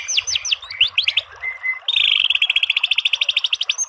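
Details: White-rumped shama masteran bursts: a few falling whistled slurs and a short steady tone, then a fast, regular trill of repeated high notes running to the end.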